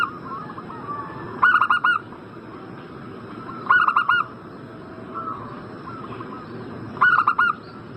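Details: Lure recording of a zebra dove, played to make a bird in breeding condition answer: three short, staccato cooing phrases spaced about two and a half seconds apart, over faint background cooing.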